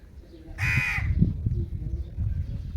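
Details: Indian ringneck parakeet letting out a single harsh, rasping squawk of under half a second, set against a steady low rumble and soft knocking in the background.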